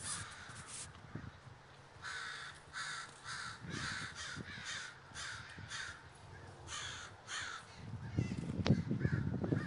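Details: Large gathering of crows in Davis, California, calling together: harsh, broadband caws in quick overlapping bursts, roughly three per second, with an uneven rhythm. Low thumping or wind noise rises near the end.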